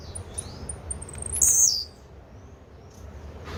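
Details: A single sharp, buzzy, high-pitched song burst from a blue-black grassquit, preceded by a short series of thin tick notes, then quiet hum.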